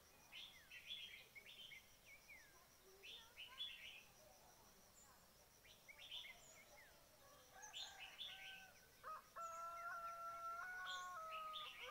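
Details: Red-whiskered bulbul calls used to lure birds into a trap: repeated clusters of high chirps about every second or two. Near the end comes a long, steady, harmonic crow-like note, probably a distant rooster.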